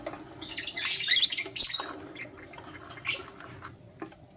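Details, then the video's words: Lutino lovebirds, a male with two females, morning; a dense, harsh squawking burst early on, followed by scattered short, faint chirps. "Lutino Lovebird Chirping Sound - 1 Male Chooses 2 Females"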